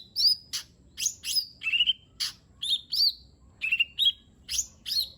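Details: Lesser green leafbird singing a lure song rich in mimicked phrases (isian): sharp high chirps alternate with bent whistled notes, delivered in quick separate bursts about twice a second over a soft low background hum.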